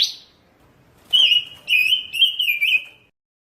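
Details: Pancawarna singing busily on a tutor recording: a brief high note, silence, then three wavering whistled phrases run close together at an even pitch before fading out.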